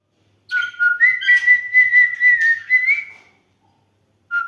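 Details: A dancing cockatiel whistles a warbling, sustained tune that climbs slightly, with raspy chatter laced through it.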